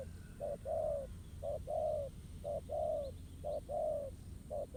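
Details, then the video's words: Wild spotted dove cooing in a contest with a ground decoy while being trapped: loud mellow pairs, a short note followed by a sustained falling coo, repeated at about one-second intervals. "Bẫy cu gáy mồi đất. Kèo đấu quá hấp dẫn, bổi gù quá tốt."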